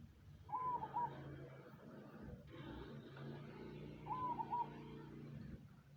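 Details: Cemani zebra dove heard through heavy rumbling background noise, giving two quick, rolling coo phrases about three and a half seconds apart.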